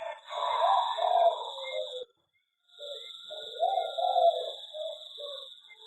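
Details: Zebra dove in an aviary giving loud, rapid staccato cooing phrases, two trilled bursts split by a brief silence, with a constant thin high whine underneath.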